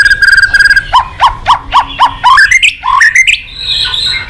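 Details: White-rumped shama song: a buzzy trill, then a series of repeated harmonic-rich notes about every quarter second climbing steadily in pitch, ending in bright higher whistled phrases.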